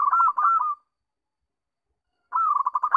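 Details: Zebra dove lure song: two short bursts of quick, arched, hooting notes separated by about a second and a half of silence, with no other sounds.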